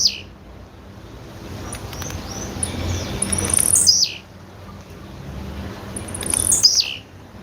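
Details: High descending buzzy calls of a female blue-black grassquit, three in the span, mixed with soft thin chirps from another bird and a steady low hum.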